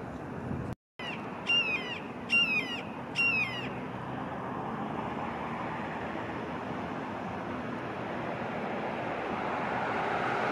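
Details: Juvenile red-shouldered hawk squealing: three loud, harmonic, down-slurred screams spaced under a second apart in the first four seconds, followed by a steady background hiss of traffic or wind.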